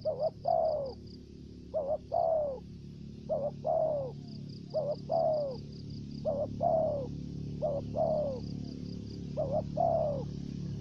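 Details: Decoy spotted dove performing the thổ dế voice, along with dập and mai rừng. About eight low coo phrases come in quick succession, each a double note and then a falling coo, over a pulsed high trill and soft room hum.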